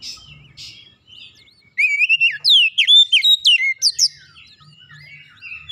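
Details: Oriental magpie-robin song used to trigger other birds into singing: a few faint notes, then a burst of rapid, loud whistles and sharp downward-sweeping chirps, fading back to soft twittering.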